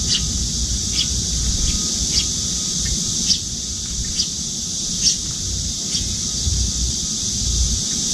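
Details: A young Eurasian tree sparrow, nearly grown, following a parent and begging to be fed at a window feeder, gives short, sharp chirps about once a second, over a steady high hiss and low background rumble.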